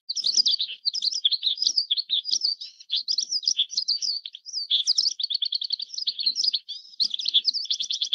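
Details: Oriental skylark (Alauda gulgula) singing a continuous, rapid stream of high warbled and trilled notes, chirps and fast buzzy rattles with barely a pause, all sitting high in pitch; no other sounds stand out.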